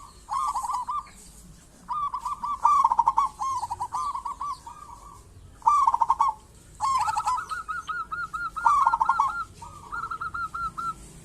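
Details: Zebra dove of a local strain, singing vigorously as a lure for other zebra doves. Repeated cooing phrases of fast stuttered notes come about every few seconds, some ending in a series of level coos.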